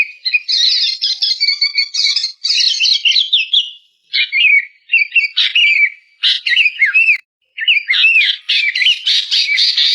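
Ashy bulbul giving a run of bright, chattering phrases mixed with slurred whistled notes, high-pitched and delivered in short bursts with brief pauses between.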